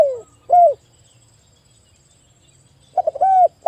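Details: Zebra dove singing in an afternoon therapy recording for stressed birds: a falling coo and a short curved note, about two seconds of quiet, then choppy notes leading into a held, even coo.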